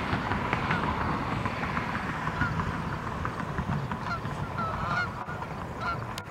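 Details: Canada geese in flight and landing, 23 September 2014. A chorus of repeated nasal honks, some with a rising-falling inflection, sits over a constant low rumble, with a sharp click near the end.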